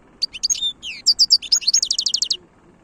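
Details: Goldfinch song of the khloui type: a sparkling medley of sharp high twitters and slurred notes, then a rapid train of about a dozen repeated metallic chips, ending in near silence.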